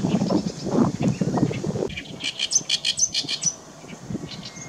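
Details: Oriental reed warbler in lively song in 2016, a loud, harsh, quick run of grating repeated chattering notes, after two seconds of low rumbling background noise.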